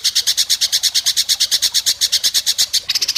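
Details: White-rumped shama at an Indonesian singing contest, sharp besetan mimicry; an even, machine-like series of harsh high notes, roughly eight per second, ending in a slightly quicker burst.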